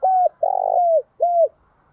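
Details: Decoy spotted dove calling in the Vietnamese countryside to lure wild birds: three low, hollow coos, a short note, a longer drawn-out coo that slides down at the end, and a final short coo, in a quiet setting.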